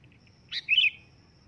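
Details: Loud calling sooty-headed bulbul: a short bright burst of two clear whistled notes, the second a slurred, warbling phrase lasting about a third of a second, over a faint steady high tone.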